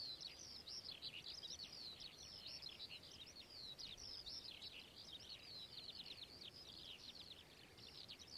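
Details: A long, dense burst of Whinchat song: hurried, crackly twitters and sliding high notes packed tightly together without pause, with a light hiss of ambient noise beneath.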